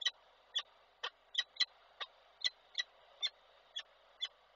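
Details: Peregrine falcon at a Koszalin nest site, Poland, 17 February 2023, calling with the 'ciokanie' chatter: a dozen short, sharp, rasping notes spaced roughly every half second, a few paired, over low hiss.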